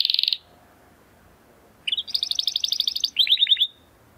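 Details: Timbrado Español canary male training song: a short buzzy trill, a second of silence, then a rapid rolling trill and a brief run of clear chirped notes.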